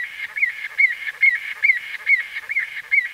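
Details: White-fronted bee-eater calling close by: crisp, short, slightly rising notes spaced evenly about every half second over a steady chatter of other calls.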